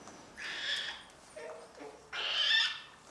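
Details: Cockatoos in family life: two harsh, raspy screeches of about half a second each, separated by a softer, lower, broken call, against a quiet background.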